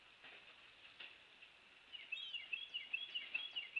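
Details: Nest-cam recording of a bald eagle on Captiva Island, west coast of Florida, 2 February 2023, mid-morning; after a quiet start, a rapid run of about nine sharp high chips comes in quick, even succession over steady background hiss.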